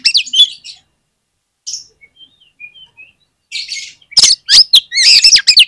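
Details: An oriental magpie-robin's song, used as a lure to prompt other magpie-robins to sing. It opens with a busy phrase, then soft thin whistles, then a dense final run of sharp chirps and rich warbled notes.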